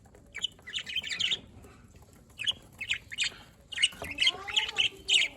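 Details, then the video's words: Spaced clusters of sharp budgerigar chirps, quieter at first, then a lively run of chirps with a soft lower whistled tone underneath. "Budgies Parrot Can Talk Chirping Sounds"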